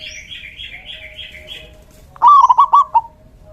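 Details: Local male zebra dove, in full voice, used as a decoy to lure other doves, delivers a short burst of rolling, stuttering coos. Before it, another bird gives a thin, wavering higher call.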